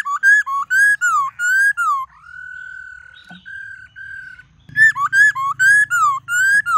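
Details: White-cheeked laughingthrush in varied forest-style song: loud rising-and-falling whistled notes, a long steady whistled tone in the middle, then a fresh burst of whistles over a low buzzing hum.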